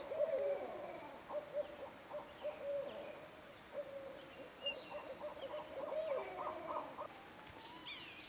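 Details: Early-spring Barred Owl pair in a North American forest, calling as they woo each other: bursts of low hooting notes at an uneven pace, with brief high chirps from small birds in the background.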